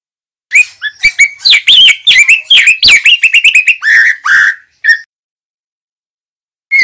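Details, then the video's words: Young male white-rumped shama singing, used as a training recording for young birds: a dense run of rising and falling whistles and sharp chirps, ending in slurred downward notes before silence. "Suara Murai Trotol Jantan GACOR"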